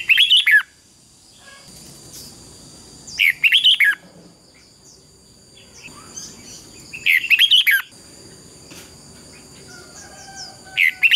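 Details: Competitive song of a red-whiskered bulbul, meant as lure sounds to stimulate singing: short, loud, chirpy warbled bursts repeated roughly every three to four seconds, with quiet gaps and a constant thin high-pitched tone in the background.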